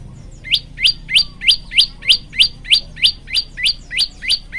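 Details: Masteran song of a prenjak lumut (olive-backed tailorbird), a very regular train of rising, whip-like chirps about three per second, each ending in a bright high peak, over a quiet background.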